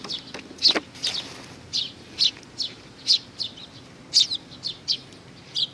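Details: Sparrows coming to be fed on 15 May 2019 give high, clipped chirps in loose sequence, with some soft clicks or taps early on and a quiet background.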